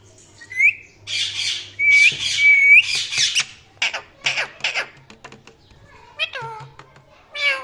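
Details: Parrot giving a mix of harsh squawks and chirps indoors: broad noisy bursts, rising whistled notes, then quick chirps and a falling squeaky note near the end, irregularly spaced, with a low hum beneath.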